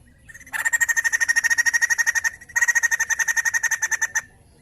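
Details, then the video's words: White-crested laughingthrush singing, used to stimulate other birds to sing: a long run of about thirty fast, harsh, even chattering notes, a brief break, then another rapid burst of the same rattling notes. "Burung poksay Jambul gacor"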